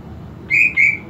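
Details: Two bright, sustained high whistles in quick succession from a greater green leafbird kept at home and being stimulated toward excitement and breeding condition; a faint low hum sits underneath.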